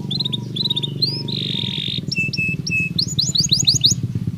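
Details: Natural canary song played to prepare birds psychologically for the breeding season: short repeated chirps, a buzzy held trill, then fast rising whistled notes, over a steady low hum.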